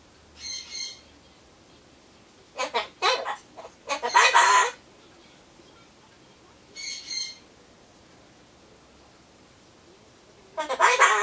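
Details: Solomons corella kept as a pet, chattering alone while it waits for pumpkin; sparse raspy, speech-like bursts separated by long quiet gaps, with a louder harsh phrase near the middle and another at the end.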